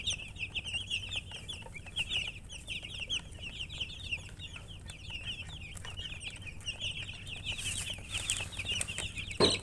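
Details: Several baby chicks keep up a constant chorus of shrill, falling peeps, tightly packed and overlapping, with a low rumbling hum underneath and a sharp knock near the end.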